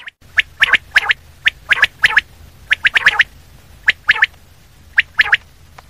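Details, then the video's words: Common quail calling close by: sharp, broadband, slightly harsh notes given singly or in quick pairs and triplets, roughly once a second, over a steady low hum. "Common quail sound// Batair ki awaz"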